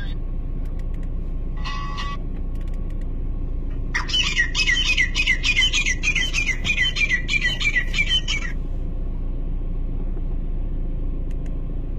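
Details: Grey francolin (teetar) in Pakistan, filmed during a hunt: a brief burst of notes, then about four seconds of loud, rapid, repeated shrill phrases, over steady low rumbling background noise.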